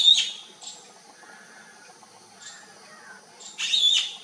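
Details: Bee-eaters seeking their flock: a burred call at the start, softer calls in between, then a louder, longer rolling trill near the end.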